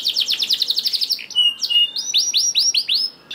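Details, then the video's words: Canary song used as a lure to get lazy canaries singing: a fast buzzy trill of high rapid notes, then smooth whistles and a run of arched, downward-slurred notes repeated about four times a second. "VOICE OF CANARY"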